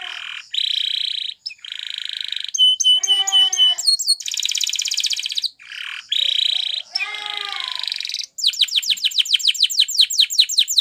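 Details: Spanish Timbrado canary song for training canaries: steady buzzing rolls broken by short gurgling and bubbling phrases, finishing with a quick run of sharp falling notes.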